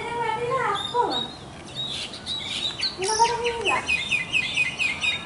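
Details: Mynas calling with drawn-out, nasal, harmonic notes that bend downward in pitch, twice in a few seconds, mixed with a busy stream of high chirps and squeaks.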